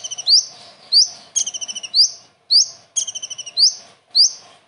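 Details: Common iora song made up entirely of kingfisher imitation. A pattern of rising, slurred whistles and rattling stuttered bursts alternates roughly every half second over a faint steady low hum.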